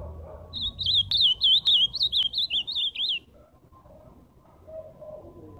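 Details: Live song of an ultramarine grosbeak: a rapid run of about a dozen bright, wavering whistled notes lasting under three seconds, followed by quieter low background sounds.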